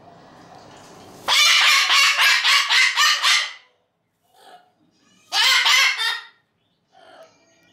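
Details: Umbrella cockatoo kept as a pet, screaming for attention because it wants to play: a fast burst of about seven harsh, grating shrieks, then a pause and another short raspy outburst, with soft background noise between.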